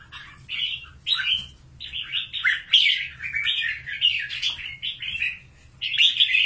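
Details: Loud, continuous warbling from a wild-caught fighting red-whiskered bulbul from Cao Bang, Vietnam, with rapid slurred notes running almost unbroken across several seconds, rising and falling in bright chatter.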